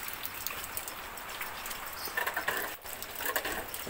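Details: Steady rain pattering outdoors with a passing vehicle's rumble and gusty splashes; no animal calls stand out.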